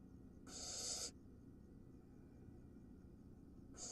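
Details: Wild barn owl nestling swallowing a large vole, giving a single rough, breathy hiss lasting about half a second, then the start of another at the end, over a low steady hum.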